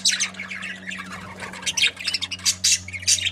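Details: Happy breeding pair of budgerigars chattering with quick scratchy high chirps and squawky notes in uneven bursts, over a steady low electrical hum.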